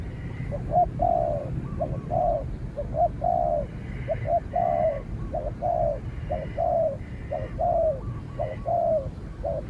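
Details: A trained spotted dove duels with a cautious wild spotted dove that stays back and is eventually expelled. Mellow cooing phrases repeat steadily, each a few short notes then a longer, drawn-out descending coo, over a rumbling background.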